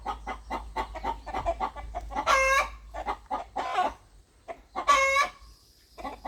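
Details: Clucking rooster in a farmyard: a fast run of short clucks, then two loud drawn-out squawks at about 2.4 and 5 seconds with scattered clucks between.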